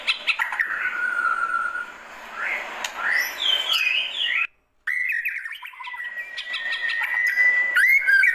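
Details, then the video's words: White-rumped shama in a classic calling song: soft whistled notes and sweeps, a short silent gap, then a long level whistle ending in quick looping phrases. "Kicauan Panggilan Murai Batu Klasik"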